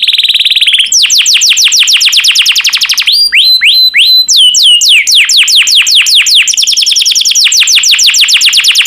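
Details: Yellow canary singing continuously: a brief buzzy trill, then long runs of quick descending sweeps broken by looping upslurred whistles, bright and high-pitched throughout.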